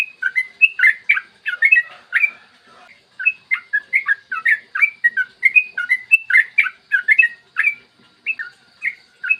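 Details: Yellow-vented bulbul tutor song with long trilling phrases, recorded clear in the morning and used as a lure to make other bulbuls sing: rapid bubbly whistled notes, rising and falling, in quick bursts with a short pause midway.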